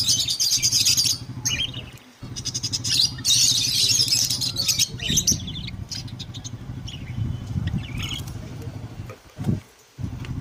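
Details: Java sparrows kept as pets in Hyderabad, playing: loud clusters of shrill, rapid chirps come in waves, separated by short quieter gaps, over a constant low mechanical hum.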